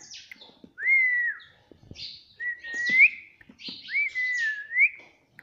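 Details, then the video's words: Talking parrot, said to say "Mummy Papa", whistles three times, about every one and a half seconds. Each whistle is a clear, slightly sliding note that ends in an upward flick, with soft scratchy noises in between. "Mummy Papa Bolne Wala Parrot || Cute Parrots || Talking Parrots"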